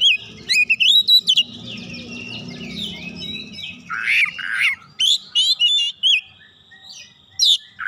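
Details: Oriental magpie-robin singing a provoking lure song with a rich repertoire: rapid chattering high notes and warbled trills, then harsh scratchy calls and quick sharp chirps in a busy, unbroken flow.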